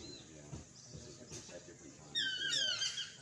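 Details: Chestnut-mandibled toucan (Ramphastos swainsonii) in Costa Rica, giving a short burst of harsh, yelping, downward-sliding notes near the end, after quieter murmuring and faint background sounds.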